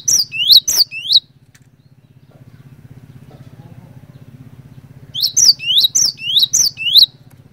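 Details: Cinereous tit, a lively singing bird used as a lure to get other tits to sing: a short burst of about five sharp, rising whistled notes, a pause with a steady low mechanical hum, then about seven more rising whistles.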